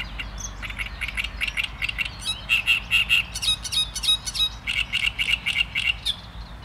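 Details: Great reed warbler singing: loud, harsh repeated chattering notes in quick series, with grating phrases and brief clearer tones, delivered steadily over a quiet background.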